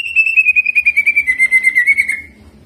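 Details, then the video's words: Greater green leafbird in energetic song with prinia mimicry and rolling: one long, rapidly pulsed trill that slides slowly downward for about two seconds, then fades. "CUCAK IJO GACOR JAMTROK ISIAN CIBLEK DAN NGEROLL"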